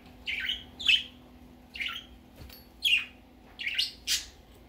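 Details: Baby budgerigar going out for the first time, giving short scratchy chirps, single and paired, roughly every second with brief pauses between, over a faint steady hum.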